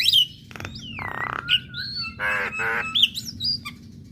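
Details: A singing female Javan myna, voiced to make other mynas respond, gives long gliding whistles, rattling clicks, two harsh buzzy rasps and sharp squeaky notes over a low hum.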